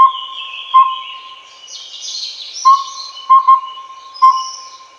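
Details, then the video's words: Collared owlet (Glaucidium brodiei pardalotum), Taiwan: low whistled hoots in the one, two-quick, one rhythm, each phrase about two seconds, backed by a continuous tone and a fluttering high insect drone. "鵂鶹(領鵂鶹)/Collared Owlet"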